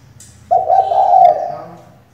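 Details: Spotted dove hen used as a lure so males start calling gives a single full, level coo that begins abruptly, holds for almost a second and then dies down gently against a quiet background.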